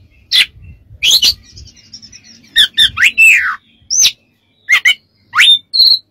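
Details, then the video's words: Oriental magpie-robin training song: rasping bursts, quick doubled chips, a sweeping downslurred whistle and a rising upslur ending in a steady whistled note, faint background hum. "MASTERAN KACER DAN TERAPI"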